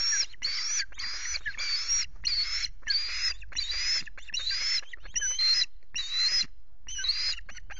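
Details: Osprey at a Loch Garten nest with chicks on 5 July, as the male arrives with two fish, recorded by nest camera. Loud, shrill whistled calls with slurred, wavering tones come in bursts about twice a second, then grow shorter.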